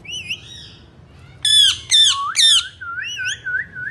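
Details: Indian ringneck parakeets, three parrots kept as talking birds, giving loud harsh rasping squawks in three quick bursts, then softer wavering whistled notes.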